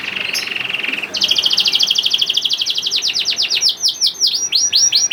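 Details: Juvenile canary lure song for coaxing other canaries into singing: a steady, flat buzzing trill, then a rapid rolling trill that breaks into a series of sharp descending sweeps.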